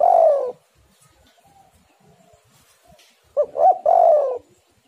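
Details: Spotted dove lure song. A long, soft, wavering coo fades out, and after a near-silent pause a new phrase follows: two short clipped notes and a long mellow coo.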